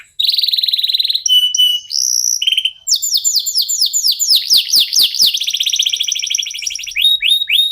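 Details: Local canary singing hard, used as a lure to make other birds sing quickly. Trills and flat whistles open the clip, then a long run of fast sharply falling chirps melts into a buzzing trill.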